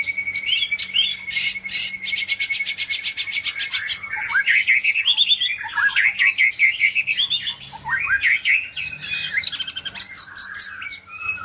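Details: Medan white-rumped shama in full song: a long rapid buzzy rattle over a steady whistle, then tumbling varied whistles, chips and slurred notes, ending with another fast rattle.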